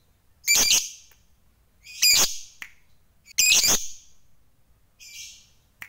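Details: Loud, grating, high squawks from a fighter lovebird used to rile rivals, three long harsh bursts about one and a half seconds apart, then a fainter buzzy note.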